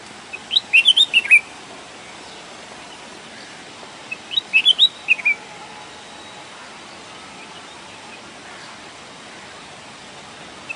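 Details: Red-whiskered bulbul singing in natural surroundings: two short bursts of bright, bubbly whistled notes around one second long, separated by about three seconds of quiet, over a steady faint background hiss.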